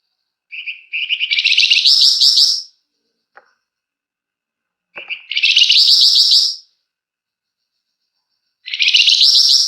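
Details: A flamboyan singing actively in long, dense bursts, used to draw out other birds. Three fast, buzzy, trilled phrases, each about two seconds long, are separated by pauses, with a faint click between them.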